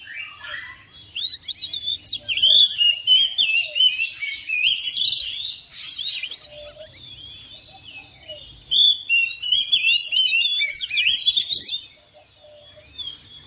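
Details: Oriental magpie-robin kept at home, replying to another bird and singing vigorously: dense varied whistles, trills and chirps in two long bursts separated by a short pause near the middle, ending in near silence; faint low hum underneath.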